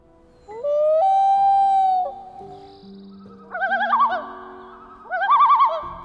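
A Common Loon gives one long, rising, mournful wail, then two quavering, wavering tremolo bursts, over soft background music.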